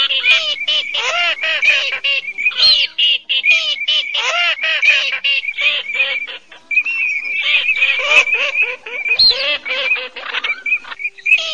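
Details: Cotton pygmy geese, male and female, calling as a lure for night net trapping of migrating birds in the August 2024 season: dense runs of harsh, nasal, cackling notes repeated rapidly, with a steady high thin tone running underneath throughout.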